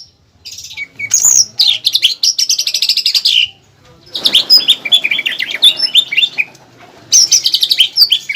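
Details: Greater green leafbird master song for training caged birds, including a pelatuk bawang fill sought at singing contests. Bright, high chattering trills and sweeping whistles arrive in three dense bursts separated by brief pauses.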